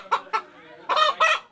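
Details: A native-breed (deshi) rooster in Bandar upazila, Narayanganj, Bangladesh, calls as the family prepares to slaughter it: two short clucks, then two drawn-out, harsh harmonic syllables in quick succession, heard by the owners as "Allah Allah".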